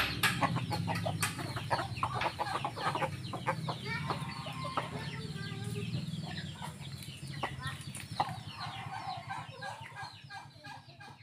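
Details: Flock of hens and roosters in a garden making rapid, irregular clucks and brief squawks, many birds overlapping, with a persistent low engine-like hum underneath.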